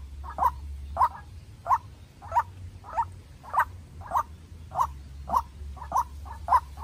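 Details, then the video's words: White-breasted Waterhen decoy, young bird, in an intense contest with a wild one: sharp croaking notes repeated at a steady pace, roughly two per second, over a low background hum. "Quốc Mồi Tơ Ra Trận Gặp Bổi Rừng Đấu Cực Căng"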